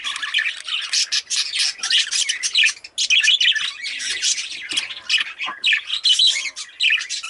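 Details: Continuous rapid chatter from a pet rainbow budgerigar, harsh grating squawks run together with clicks and thin whistles in a steady, high, buzzy stream with only tiny pauses.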